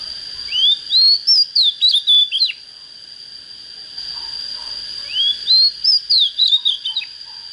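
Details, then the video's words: Song of an oriental magpie-robin just coming into form: two matching phrases, each an upward whistled slide then a run of clipped, falling notes, with a pause between them and a constant high hum behind. "Chích chòe than mộc CHỚM LỬA || có chất GIỌNG CHUẨN"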